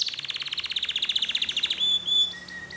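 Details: Canary singing as a lure to set other canaries off: a quick series of evenly repeated high chirps slowing and ending in a clear whistled note, followed by a couple of softer short notes.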